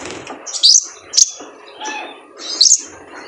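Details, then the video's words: Sparse high sibilant chirps from a male kolibri ninja sunbird on a cage-bird training recording, three sharp notes spaced over about three seconds above a soft hiss. "PANCINGAN KONIN JANTAN BIAR GACOR FULL MATERI MELATIH BURUNG KOLIBRI NINJA"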